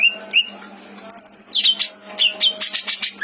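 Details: Greater green leafbird kept as a pet in Indramayu, Indonesia, with a song of imitated phrases: two whistled notes, a short pause, then a buzzy rattle and rapid varied chirps and slurs.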